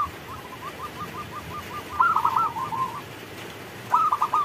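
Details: Zebra dove of local stock calling in the rain: a rapid string of small soft notes leads into rolling, bubbling coo phrases, followed by another trilled coo.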